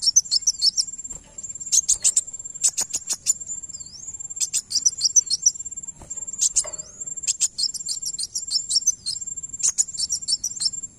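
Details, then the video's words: Van Hasselt's sunbird song meant to provoke a reply: dense bursts of piercing, very high chips and twitters, a brief hooked whistle, and a steady high tone underneath. "Kolibri wulung langsung nyaut dengar ini"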